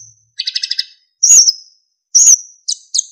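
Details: Narcissus flycatcher (sikatan emas) singing for training other songbirds: a fast stuttering trill, then two loud high whistled notes and short chirps.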